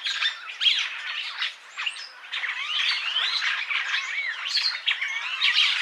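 A purple starling pours out a dense, unbroken chatter of squawks, creaky notes and quick slurred whistles, harsh and tumbling, with no clear pauses.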